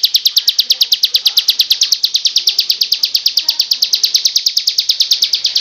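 A Bar-winged Prinia gives a long, rapid, even trill of sharp high chips, roughly ten per second, steady in pitch throughout.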